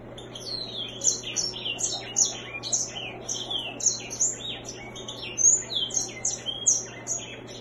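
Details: White-rumped seedeater, also called grey singer, singing: a continuous stream of high, rapid, sweet chirps and short slurred whistles in varied phrases, with a steady low hum in the background.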